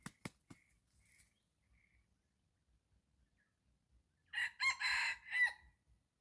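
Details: Red junglefowl in the morning, lured with a decoy bird. A few sharp taps open a quiet stretch, then one loud, harsh crow in four joined parts lasts just over a second near the end.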